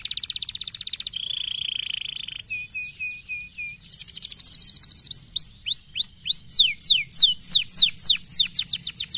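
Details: Canary singing in the 'speed rapat' style, fast and tightly packed, meant to set fighter canaries off: a buzzy high trill, a steady ringing tone, a run of repeated down-slurred notes, then loud rising upswept whistles delivered rapidly.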